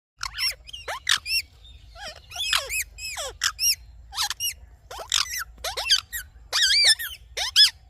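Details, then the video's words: Rose-ringed parakeet in the morning: a busy run of harsh, high screeches, many with bent, falling tails, arriving in quick uneven bursts with short pauses between. A faint low hum runs underneath. "Parrot Morning Sounds"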